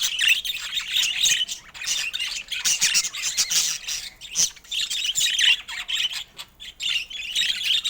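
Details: Several colourful pet budgerigars keep up a dense, high-pitched babble of chirps, squeaks and scratchy twitters, coming in uneven bursts with brief pauses between them.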